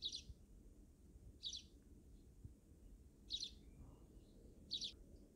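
A sparrow gives four short, high chirps spaced about one to two seconds apart over a steady low background hum.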